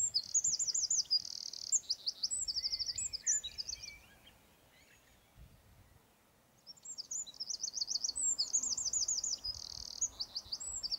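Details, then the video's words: Two bursts of Eurasian wren song, each a shrill run of rapid trills and buzzy rattles, separated by a quiet pause of about two seconds with scattered soft notes. "EL CHOCHÍN. CANTO Y ALARMA."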